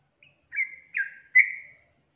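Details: Song of a yellow-vented bulbul from a long-trill training recording: three drawn-out, slurred whistled notes, each falling slightly, spaced about half a second apart in quiet surroundings.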